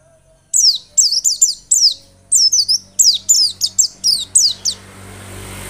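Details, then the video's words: White-eye song used to lure white-eyes into lively, persistent singing: after half a second of quiet, a dense run of high, sharply falling whistles with some twisting notes, fading into soft hiss. "Pancingan pleci biar gacor dan ngotot."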